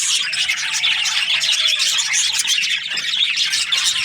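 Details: Budgerigar breeding pairs chirp in an aviary with a busy, high-pitched twittering chorus. A faint, thin, slowly falling whistle-like tone sounds low underneath.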